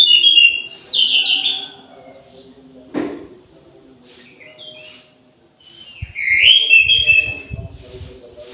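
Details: Orange-headed thrush singing actively at midday in an aviary: high, rich warbled phrases at the start and again after six seconds, a dull knock midway, steady low hum beneath, some low rumbling near the end.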